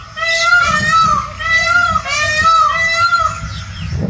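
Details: A pink peafowl gives loud, nasal, wailing calls in long drawn-out phrases, each rising slightly then falling, repeated about every second and a half.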